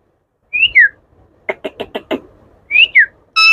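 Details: Pet Indian ringneck parakeet talking. A paired whistle rises and then falls, followed by five evenly spaced clicking pulses. The whistle pair repeats, and a loud harmonic squawk closes the phrase.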